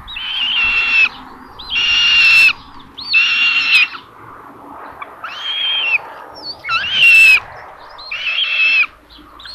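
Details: Common buzzards at the nest in Tiszalök, Hungary, on May 27 around 12:32, with a parent bringing food to the third chick. A series of insistent, buzzy, high mewing calls, about six in ten seconds, over a soft background hum.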